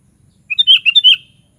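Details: One short, cheerful sooty-headed bulbul phrase: a rising lead note followed by a quick bubbling run of liquid slurred whistles, over a quiet background.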